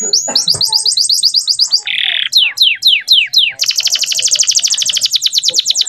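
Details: Training song of a male canary for young birds: fast rising repeated notes, a short buzzy burst, a set of loud falling sweeps, then a long, very rapid rattling trill; a few low clicks at the start.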